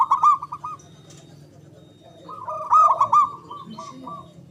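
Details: Local Javanese zebra dove, loud and long-breathed, whose natural song is played to make lazy or silent doves sing: two rapid, stuttering, rolling coo phrases separated by a pause, with a low background hum.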